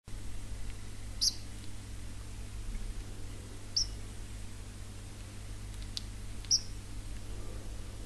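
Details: Pet house sparrow kept indoors giving three short, high, sharp chirps spaced roughly two and a half seconds apart, over a steady low electrical hum.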